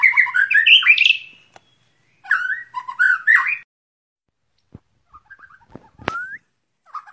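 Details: White-rumped shama kept out in the open air, its song used for training breathing: rich, varied whistled phrases that rise and fall quickly for about three and a half seconds. Sparse clicks and one sharp rising whistle follow after a pause.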